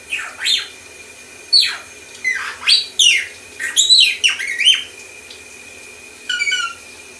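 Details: Male pet lorikeet indoors mimicking R2D2 droid sounds, a rapid run of sweeping whistled chirps and warbling beeps sliding up and down, then a pause and a final short burst of chirps.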